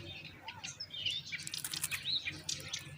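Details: Common myna nestlings calling as their mother brings moringa. A burst of high chirps, squeaks and rising whistled notes comes in quick succession and grows denser toward the middle.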